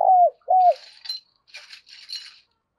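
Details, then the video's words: Spotted dove used as a decoy to provoke wild doves, giving two short low cooing notes, followed by faint higher rustling or clinking sounds. "tiếng cu gáy - Chim Cu Mồi thúc Và Gáy Gọi Dùng Kích Bổi Rất Hiệu Quả"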